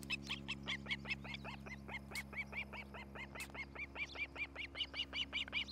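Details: Osprey on a nest camera in Charlo, Montana, 07-11-2018, around 8:36 a.m.: a long, steady chain of shrill, whistled chirps, roughly two or three each second, running throughout, with a constant low hum underneath.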